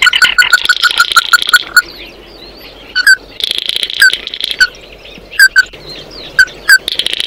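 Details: Oriental white-eye calling to its flock, opening with a quick ringing note series over buzzy twitter, then scattered sharp single chips and buzzy bursts.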